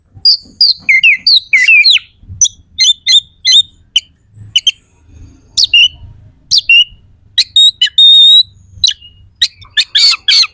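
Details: Oriental magpie-robin in full, rough and sharp song packed with varied phrases, used as a lure to provoke rival contest birds into fighting mood: a rapid stream of sharp chirps and down-slurred whistles, ending in harsh buzzy bursts.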